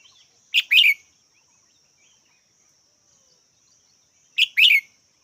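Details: Red-whiskered bulbul calling twice, each a brisk two-note chirp, the pair repeated after about four seconds of near silence.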